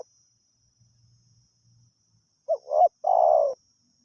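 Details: A wild spotted dove during decoying: faint low rumble at first, then one phrase of a short double coo and a long, buzzy, level croo, with a thin high whine throughout.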